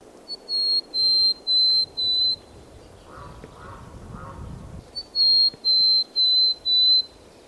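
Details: Mountain Chickadee song, a western North American species with a 3 to 6 syllable song: two phrases of four clear, high whistled notes, the first slightly higher, then level and even, with faint soft calls and background hiss between.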